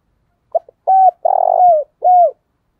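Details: Spotted dove used as a decoy, giving thúc bổi and gáy gọi calls: a short stuttering lead-in, then a clear coo, a long vibrating rolled coo and a final falling coo, all low-pitched.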